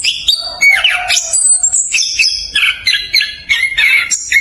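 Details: Chestnut-capped thrush singing a rapid, dense rolling song, used as a lure to prompt reluctant birds to sing; quick high chirps and swooping whistled notes run nearly without pause.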